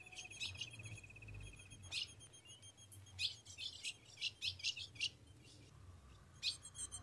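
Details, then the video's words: Female Ultramarine grosbeak, recorded in Rio Grande do Norte caatinga, calling to rouse the male for mating. She gives a series of sharp, bright chips in quick succession over a thin steady high tone and low background hum. "Fêmea de azulão chamando e pedindo gala para esquentar o macho e macheando"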